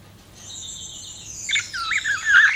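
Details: Budgerigar sound opening with a long, steady, thin whistled tone, then breaking into louder twisting warbles and scratchy chirps.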